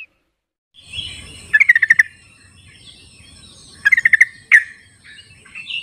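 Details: Wild yellow-vented bulbul recorded in its natural habitat, used as a lure to prompt silent birds to sing: two bursts of rapid, evenly spaced bubbly notes, plus a single sharp note, over faint low rumble.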